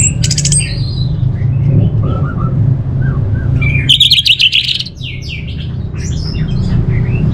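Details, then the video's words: Orange-headed thrush mixing sharp rattling bursts with soft low whistled notes and a later run of rapid harsh chatter, against a steady low drone. "Suara ANIS MERAH"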